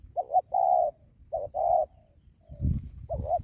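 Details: Spotted dove coos for luring wild doves: quick double notes alternating with sustained, soft, level coos, then a faint trailing note, a muffled thump and another double coo.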